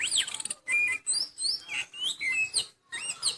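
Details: Moulting oriental magpie-robin keeps singing energetically, with clear whistled phrases that slide up and down, broken by brief pauses between bursts.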